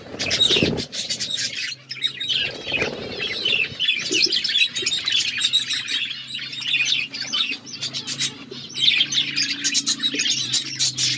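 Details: Aviary budgies keep up busy overlapping chirps and scratchy warbles from many birds at once, with a faint low steady hum underneath and a brief flapping burst near the start.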